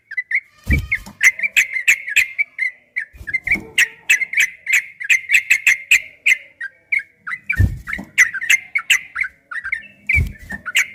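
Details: Extended ropel-type yellow-vented bulbul song for training caged birds to answer: dense rapid chirping phrases with frequent sharp clicks, a few low bumps scattered through.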